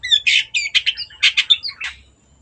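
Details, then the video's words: Long-tailed shrike singing as a lure to make other birds sing: a short, fast phrase of harsh, grating notes interleaved with clear whistled slurs, ending in a fading rasp. "CENDET GACOR PANCINGAN MENGATASI BURUNG MACET ATAU BAHAN AGAR RAJIN BUNYI"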